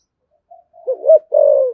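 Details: Deep-voiced 'thổ sấm' spotted dove giving a 'thúc gù' urging coo: a faint short lead-in note, a rising wavering double note, then a sustained low coo that tails downward.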